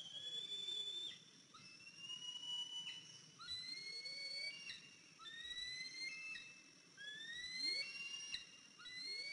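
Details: Fledged eaglet, 103 days old, returned to the nest on an April 2023 morning and limping. Repeated thin whistled calls come about every one to two seconds, each rising slightly and then breaking off, over a faint lower, swooping tone.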